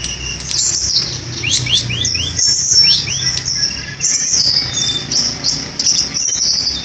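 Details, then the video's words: Flycatcher (Indonesian "tledekan gunung") singing a busy, high-pitched stream of thin chirps and trills, broken by a run of quick rising whistled slurs. "Tledekan Gunung Gacor (Flycatcher Bird)"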